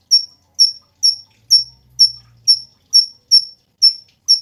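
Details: Cungkok singing a rapid, even run of piercing high chips, roughly two per second, each dropping slightly in pitch; a faint low hum in the background. Used for training cage birds.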